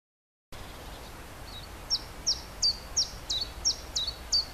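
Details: Common chiffchaff (Phylloscopus collybita) in spring 2011 sings a steady string of high, clipped notes, about three a second, see-sawing between two pitches, to attract a mate and hold territory; faint background hiss.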